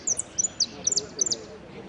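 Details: Contest jilguero finch singing at Piran on 25/09/16, 'amarillo sin cierre' category: short bursts of very high, sharp twittering notes in clusters of two or three, with a low hum of people talking.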